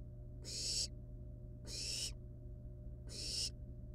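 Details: Wild barn owl nestlings at their nest with a live rat, playing with it before killing and eating it: three harsh, broadband hissing screeches, each about half a second, spaced over a second apart over a steady low hum.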